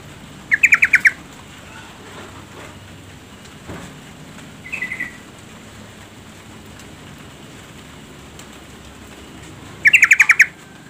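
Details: Yellow-vented bulbul female calling to stir a lazy male into singing: two bursts of rapid, rattling chatter about nine seconds apart, with a faint short call between them and only soft background noise otherwise.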